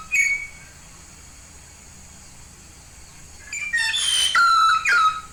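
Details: Yellow-faced myna from Papua, a lively singing bird, giving a short whistled note near the start, then after a quiet gap a burst of loud, clear whistles with falling and level tones and some harsher chatter.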